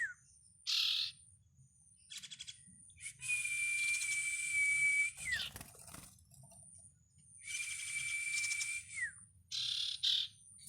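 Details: Bar-winged prinia chicks giving harsh, hissing bursts of high calls. A long, steady, thin whistle holds level and then drops away, twice, with a low hum throughout.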